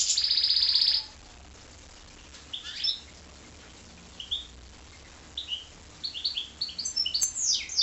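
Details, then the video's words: Goldfinch × canary hybrid opening with a one-second rapid high trill, then a quiet stretch broken by short chirps and twittering notes that grow busier toward the end. "goldfinch x canary"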